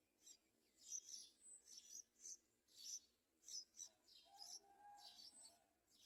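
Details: A baby Yellow-vented Bulbul, apparently waiting for its mother to feed it, gives harsh, high, hissing begging notes, about two a second, with a few thin squeaks and a brief lower whistle mid-clip.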